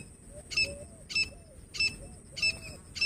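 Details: Female grey francolin (Francolinus pondicerianus) calling, with sharp, high, ringing notes repeated about every 0.6 seconds in a steady series over low background rumble.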